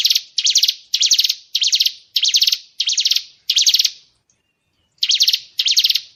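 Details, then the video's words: Murai batu (white-rumped shama) 'tembakan' fill-in for contest-bird training: seven quick buzzy rattling bursts at an even pace, a gap of about a second, then two more. "Isian tembakan burung murai batu | download mp3 masteran kicau burung murai batu"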